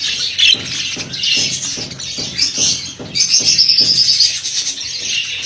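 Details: Budgerigars for sale in a busy group, churring and chirping at a high pitch with one clear rapid trill midway, over regular low knocking beats about twice a second.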